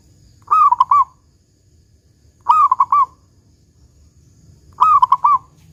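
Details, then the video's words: A local zebra dove sings the loud 'kung besar' song meant to draw other doves into singing. Three identical low coos, each with quick choppy notes, repeat at steady intervals of about two seconds. "Perkutut Lokal GACOR Suara Kung Besar Pancingan Burung Perkutut Agar Bunyi"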